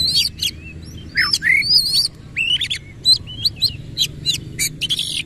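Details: Oriental magpie-robin with its tail fully spread, singing fast 'nembak ngerol' phrases: a continuous string of bright bent whistles, slurred rising notes and crisp high chips packed closely together throughout.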